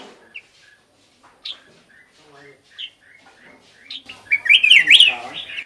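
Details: Black-crested bulbul song used as a lure to call birds. Scattered short chirps give way to a loud, rapid, warbling zigzag phrase of bright whistled notes near the end.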